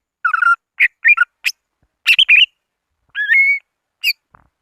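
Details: Greater green leafbird calling rivals as a lure sound: short whistled phrases and chirps in separate bursts, with one longer rising whistle near the end.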